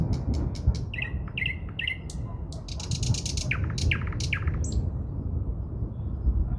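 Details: Near Moscow in early May, a common nightingale sings rapid dry clicks and rattling trills, then short whistled notes in repeated threes, over a heavy low rumble of wind or handling noise.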